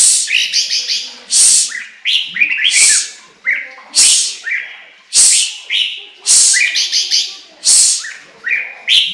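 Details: Chinese hwamei delivering a busy song: harsh, sibilant bursts alternating with brief rising whistles, repeated at an irregular, rapid pace.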